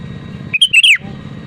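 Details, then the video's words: Sooty-headed bulbul singing actively, an original recording used to prompt other bulbuls to sing: one short burst of bright, bubbly whistled notes that dip and rise, over a steady low hum. "BURUNG KUTILANG GACOR DENGAN SUARA ASLI AMPUH UNTUK PANTINGAN KUTILANG AGAR BUNYI"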